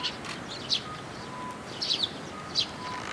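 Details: Young Eurasian tree sparrows coming to a post top to be fed at a shrine, recorded 1 June 2022: short high chirps in brief clusters, about four bursts over a few seconds, with faint background hum.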